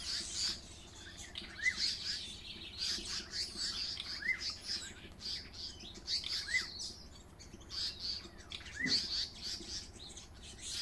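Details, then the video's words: African paradise flycatchers harassing a hornbill near their nest with chicks at a caravan park: rapid, harsh high chattering notes nearly throughout, with a sharp upslurred note about every two seconds and a faint background hum. "African Paradise Flycatchers harass a Hornbill"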